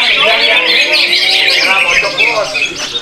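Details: Greater green leafbird at a songbird contest in Muara Teweh, Indonesia, in a dense, rapid run of bright chirps and twittering phrases, about two notes a second, overlapping with other birds and a murmur of voices.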